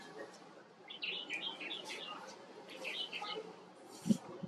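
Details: White-cheeked bulbul, also called Himalayan bulbul, giving short bursts of chirpy, liquid notes in two clusters, with steady background hiss and a dull knock near the end.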